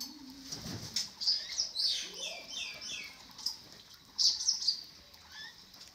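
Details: Eurasian magpie at a bird park ecological area of a natural science museum in Taiwan gives harsh, scratchy chatters in uneven bursts over six seconds, with a few low, soft calls from other birds in the background.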